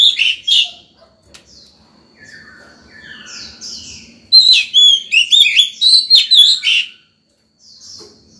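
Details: Morning song of an Oriental magpie-robin in breeding condition, used to call wild birds and tutor young ones; quiet scattered notes, then a loud run of about ten rapid, ringing whistled notes.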